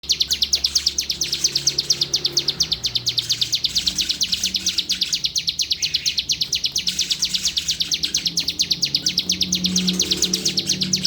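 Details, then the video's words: Bar-winged prinia (ciblek) from Palembang, a prized songbird: long rapid series of high, sharp chirped notes repeated steadily about eight times a second, with faint low background hum and murmur beneath. "CIBLEK GACOOR"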